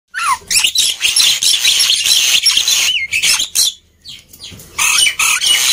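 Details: Noisy, chattering song of a black-winged myna, used to coax quiet birds into singing: harsh broadband squawks and rasping notes mixed with short whistled slurs, delivered in rapid bursts with brief pauses.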